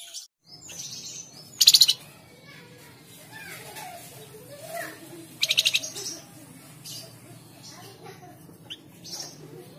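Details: Flamboyan bird lure song, Tledekan Jati style, for prompting caged birds to sing: two separate short bursts of loud, very fast high trilling about four seconds apart, with faint softer chirps and rustling in between.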